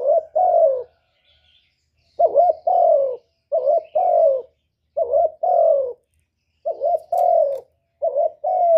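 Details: Spotted dove song meant to lure other doves: a steady run of six paired coos, a brief quavering note then a longer descending one, repeated every second or so.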